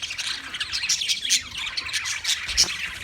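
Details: A short burst from wild budgies: harsh squawks and quick high chirps crowd together in a noisy, unbroken flock chatter.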